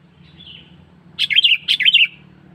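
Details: To attract wild birds, a sooty-headed bulbul lure call: a faint whistle, then two short bursts of sharp, tumbling chirps, over a low electrical hum.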